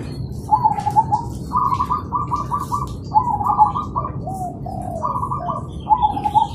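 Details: Morning zebra doves calling back and forth: rolling trilled coos alternating with clusters of short clipped notes, phrases overlapping from more than one bird, low rumbling background.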